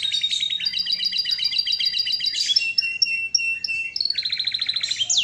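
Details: Canary song mixing rapid chattering trills, spaced clear whistles, and a closing series of quick downward-sweeping notes.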